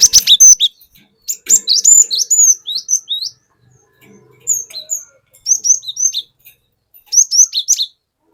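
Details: Forest-caught cinereous tit giving its 'wucit wuit' lure song to draw in other birds: clear high whistled phrases of three to five slurred notes, separated by short pauses, with faint background knocks.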